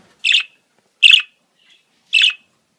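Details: Budgerigar mating-season calls: three loud, sharp, bright chirps spaced about a second apart, clean with no other sounds.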